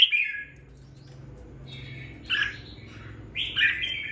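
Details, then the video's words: Captive red-whiskered bulbul kept for two weeks, beginning to sing with spirit: a few bright, slurred whistled bursts separated by pauses of about a second, with a steady low hum in the background. "Đánh liều mua con chào mào chỉ chọn bóng bộ ,sau 2 tuần nuôi dưỡng em nó đã ra giọng có chút lửa"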